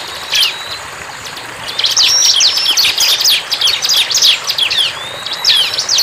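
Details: Bar-winged prinia in the wild: a thin whistle, a pause of about a second, then a busy, high-pitched run of rapid sharp chirps and trills to the end.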